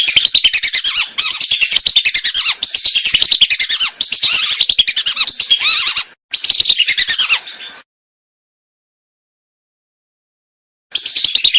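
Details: Lesser whistling ducks on a lure track for hunting: dense, rapid, high-pitched whistling in repeated bursts, then about three seconds of silence before the chatter resumes.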